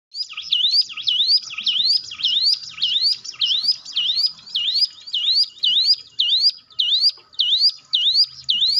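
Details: Hill prinia song used as a lure to get silent, nervous cage birds singing: a steady run of loud, sharp upswept whistled notes, each dipping then rising, repeated almost twice per second with faint low background hum.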